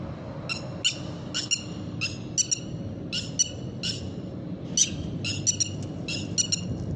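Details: Red-wattled lapwing calling insistently: a rapid series of sharp, strident, metallic notes, sometimes paired or tripled, repeated throughout, with a steady low background hum.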